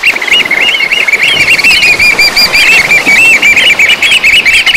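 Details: Eurasian oystercatchers on the Brittany coast, France, give loud, shrill piping calls, several birds overlapping in a fast, continuous chorus of high 'kleep' notes with no pause.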